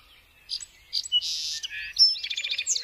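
A song sparrow sings a quick, varied phrase: a few crisp introductory notes, a dry buzz, then a rapid, bright trill to finish.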